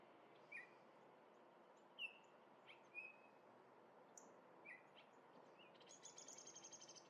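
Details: Minnesota orioles at a grape jelly feeder giving isolated rich whistled notes, a few slurred, spaced over several seconds, ending with a rapid, even, high buzzy chatter; quiet outdoor background throughout.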